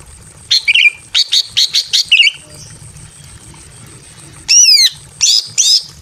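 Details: Breeding female greater green leafbird in a simple aviary, calling for a male: a run of six harsh rhythmic chirps, a pause, then a loud zigzag whistled note and two scratchy bursts.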